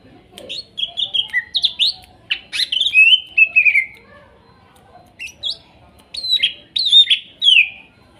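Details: Greater green leafbird (cucak ijo) song used as therapy for a kept bird that has stopped singing: loud harsh squawks and bright slurred whistles in short bursts, with falling glides and quiet gaps between phrases.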